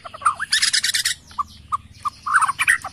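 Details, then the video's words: Agitated Borneo white-rumped shama calling loudly, on a lure recording that sets other birds answering within seconds: varied, rich song mixing harsh rasping bursts with short mid-pitched whistled notes in quick irregular phrases. "LANGSUNG KOAR-KOAR || PANCINGAN MURAI BORNEO EMOSI..!! HITUNGAN DETIK LANGSUNG NYAUT"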